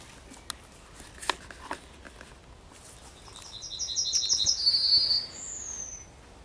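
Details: A Yellowhammer singing at the edge of Kabaty Forest sings a quick run of about eight high, thin repeated notes, ending in a longer drawn-out note. A few sharp knocks come earlier.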